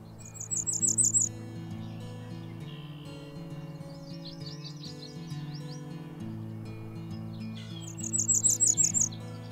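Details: Cape May warbler (Setophaga tigrina) at Mud Lake, Ottawa, in 2023 gives two short bursts of very high, thin, rapidly repeated notes, with a softer run between them, over steady background music.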